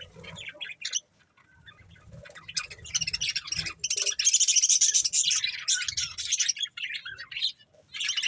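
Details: Budgies eating corn start with sparse chirps, then break into loud, continuous, buzzy chatter and warbling that fades and returns near the end; faint low rustling throughout.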